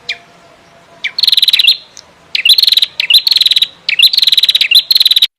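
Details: Female rufescent prinia singing persistently in nebak style, meant for tutoring contest birds: a single chip, then three bursts of rapid, metallic ticking trills, each opening with a quick swooping note.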